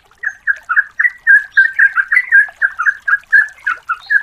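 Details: Calling female yellow-vented bulbul, used to draw in males: a steady rapid run of rich, bubbling notes, about four per second, some slurred together, with faint higher chips behind.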